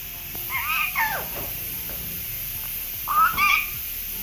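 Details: Ringneck talking parrot producing two bursts of mimicked speech, nasal syllables that bend up and down, separated by a quiet pause over a steady background hiss.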